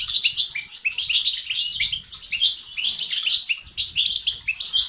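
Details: European goldfinch song used to rouse silent males into activity and singing, with styles called بتبتة and ستستات. Continuous bright, liquid twittering runs of quick chirps and buzzy trills, clean and steady throughout.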